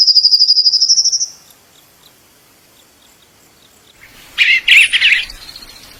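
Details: Male bird calling for a mate gives a fast, high pulsed trill lasting just over a second, then a pause, then a burst of three loud, rough chirps.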